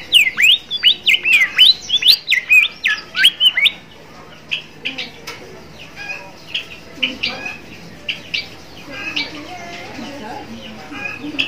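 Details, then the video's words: Bimoli song for training young birds to sing: about four seconds of loud, fast whistled notes sweeping up and down, followed by quieter, sparser chirps and short warbles. "suara burung gacor burung bimoli trotol"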